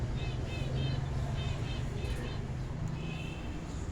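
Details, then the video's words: A rose-ringed parakeet (ringneck parrot) talks in short, high, nasal speech-like bursts, four phrases in four seconds, over a steady low rumble of traffic or machinery. "Ringneck Parrot Talking"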